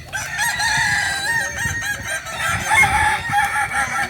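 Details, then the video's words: Balenggek roosters training at Ampang Kualo in Solok give a continuous chorus of long, harmonic crows, many birds layered together, with some low thumps and rumbling beneath. "latihan ayam kukuak balenggek"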